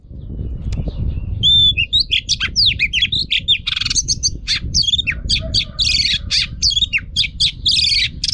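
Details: Female Oriental magpie-robin singing to stir males, used for training, pours out a dense, fast jumble of scratchy, buzzy and whistled notes over steady low background rumble.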